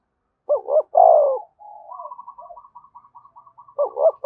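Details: Spotted dove cooing, a recording played to stimulate other doves to coo: a loud deep two-part coo, then a run of soft, rapidly repeated short notes, and another coo starting at the end.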